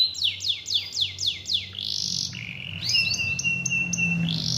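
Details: Canary song played as a lure to get a lazy canary singing again: fast series of downward-sweeping whistled notes, then a sustained buzzy trill and a steady high whistled tone with chattering overlay, over low background hum.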